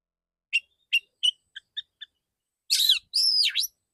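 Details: A male oriental magpie-robin delivers 'tembakan' shot-style song: three sharp accented chirps, three softer paired ticks, then two loud, broad buzzy phrases with swooping whistles, against complete quiet.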